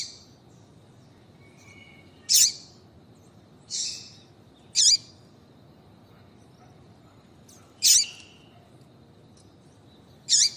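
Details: A female double-collared seedeater calling to get a male singing: six high notes spread over ten seconds, mixing sharp clicks with hissy down-slurred chips, plus a faint thin whistle early on. Soft background hum.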